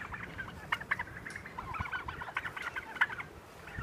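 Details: Pastured Heritage turkeys trailing people through a pine grove, uttering many short clucking and yelping notes in irregular bursts, mixed with footsteps and rustling underfoot.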